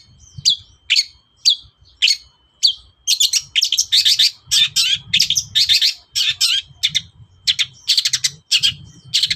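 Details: Morning song of a long-tailed shrike, used to provoke replies from other birds: a few spaced sharp chirps, then a fast, dense, harsh chattering run of high notes, roughly two phrases a second.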